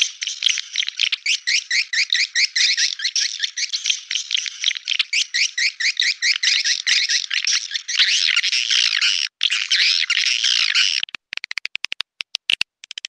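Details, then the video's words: Edible-nest swiftlet attraction call for nesting houses, known as clop tanjung: long run of rapid high twittering chirps repeated about twice per second, merging into a continuous chatter, then clipped choppy fragments at the close. "Suara panggil burung walet clop tanjung original"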